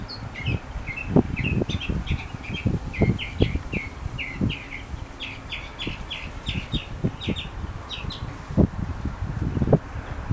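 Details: A wild sooty-headed bulbul gives a quick run of short, bubbly chirps, several per second, over frequent low thumps and rumbling handling noise; finding: Sooty-headed bulbul.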